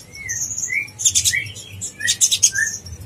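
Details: Konin blorok song meant to stir other konin, used as contest master: clear short rising and falling whistles interleaved with two fast, high buzzy trilled bursts.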